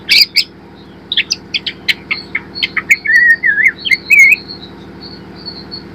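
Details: White-rumped shama, a spotted young bird learning its song, used as a lure to spur singing: sharp clicks and chips in quick series leading into a fluid, wavering whistled phrase, ending in thin high notes, with a steady low hum beneath.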